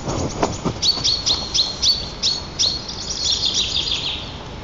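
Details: White-tailed eagle pair at a wild nest in Nizhnyaya Kama National Park, Tatarstan, on 7 April 2024, greeting each other after the female's return, caught by a nest camera: a rapid series of high, sharp yelping notes, ending in a faster run.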